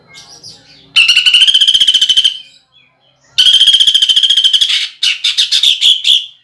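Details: Greater green leafbird firing harsh 'nembak' shots of pelatuk bawang (woodpecker) mimicry for contest use: two long, loud, rapid machine-gun rattles, then a run of separate sharp chattering notes.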